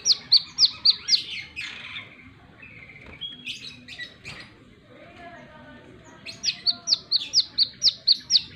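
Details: Plain-throated sunbird singing energetically in wiceh style: a burst of about six sharp, high, downslurred chips, then a quieter stretch of soft warbling, ending with a rapid run of about ten clipped piercing notes.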